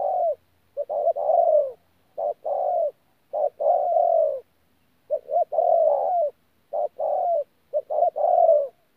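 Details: Spotted dove, a newly caught wild bird, recorded at Tu Mơ Rông on 14 January 2019, giving the thổ pha cooing style: a run of mellow, low coo phrases mixing short clipped notes with longer drawn coos, about a dozen over nine seconds.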